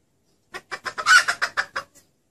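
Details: Female wild junglefowl calling to lure males, with a clear voice. A run of about eight short, sharp clucks over roughly one and a half seconds, loudest in the middle, then a faint final note, on a quiet background.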